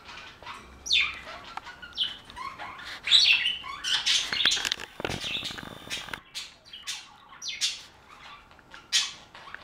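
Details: Budgerigars in a flock chatter with rapid, uneven high chirps, sharp squeaks and warbling phrases, busiest in the first six seconds and thinning to scattered sharp notes toward the end.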